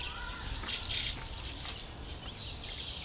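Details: A young fieldfare waits for its parents to bring food on 20 May 2013, giving thin, hissing, high-pitched begging notes in short bursts over a soft outdoor background hiss.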